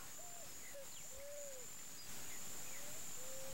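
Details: Wild Picazuro Pigeon singing in Campo Grande, Mato Grosso do Sul, Brazil: low, soft cooing notes, a short hoot then longer drawn-out arching coos, over a steady high insect whine and faint distant chirps.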